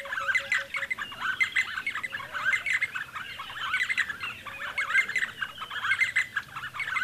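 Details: Near Lake Baringo, D'Arnaud's barbets keep up a lively repetitive chatter of bubbly, chirping phrases, roughly one burst per second, with a few low flat whistles early on.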